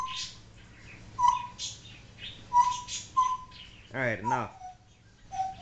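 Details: Pet African grey parrot indoors, talking and imitating barking and other noises: short level whistles repeated about once a second, interrupted by a brief harmonic, voice-like wavering sound, then a final low whistle.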